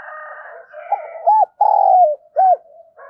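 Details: Spotted dove decoy cooing to attract and provoke other doves: short, rounded hollow coos followed by a longer drawn-out note and another short coo, over a constant humming background.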